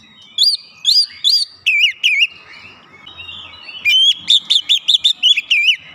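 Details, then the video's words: Lure-provoked Oriental magpie-robin in an emotional, persistent burst: three looping whistles, then buzzy slurred notes, a brief gap, and a fast run of bright repeated whistled phrases. "pancingan Kacer langsung keluar emosi ngotot bongkar isian"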